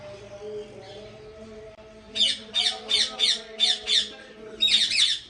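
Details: At a big ringneck parrot breeding farm in Pakistan, a run of about seven harsh, rasping squawks at an even pace follows a low background hum, ending with a louder double screech.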